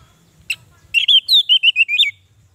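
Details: Orange-headed thrush song for prompting captive birds that are reluctant to sing: one sharp click, then a rapid string of about eight clear whistles wavering up and down, ending on a rising upslur.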